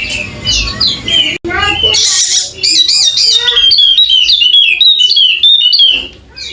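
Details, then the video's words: Wallacean white-eye, golden-headed, endemic to Sumbawa, singing a lively string of high twitters and bouncing whistled notes. A brief break comes near the start, with some soft background voices. "Burung Pleci Wallacea Kepala Emas Andemik Burung NTB Sumbawa Bunyi Buka Paruh Gacor!!!"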